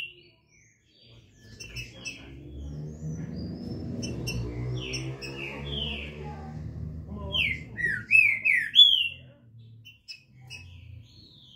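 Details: Captive green-winged saltator (trinca-ferro) from Brazil, singing in the canto liso style: a burst of loud slurred whistled notes, rising and falling, late in the recording, after a stretch of low rumbling background noise.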